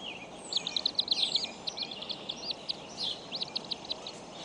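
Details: Bald eagle eaglets at a nest at Decorah, 14 April 2012: a series of high, thin, looping chirps and squeaks, rising and falling quickly, over steady background hiss.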